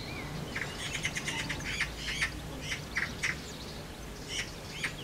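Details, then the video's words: Magpies fighting around their nest at the bottom of a garden, giving harsh, rattling chatter in quick bursts with several calls overlapping, over a low background rumble. "MAGPIE NEST FIGHT"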